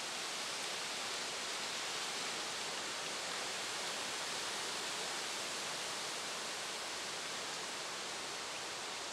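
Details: Continuous hissing noise like heavy rain or a rushing stream, with no animal voice heard.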